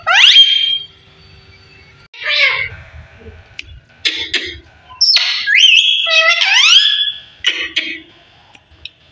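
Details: A 15-year-old pet parrot talking: sliding whistled and squeaky voice-like phrases, some rising sweeps, separated by pauses, with faint low background rumble.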